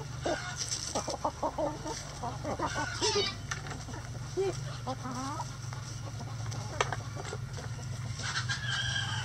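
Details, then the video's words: Chickens in a coop yard, pecking and eating: a dense run of short clucks and sliding squawks in the first half, then sparser clicks and pecks, with a steady low hum. "Chicken Coop Relaxing Sounds Rooster Crowing"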